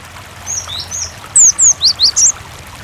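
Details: Cinereous tit singing persistently, recorded as a lure so other tits reply: two soft, drawn-out high whistles, then four loud, clipped descending notes in rapid succession, set against a low, even murmur of flowing water.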